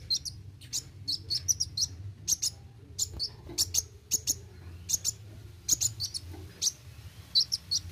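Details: Olive-backed sunbird (kolibri wuling) in roll tembak song: evenly spaced high, sharp chips and short twittered pairs, roughly two to three per second, over a low constant hum.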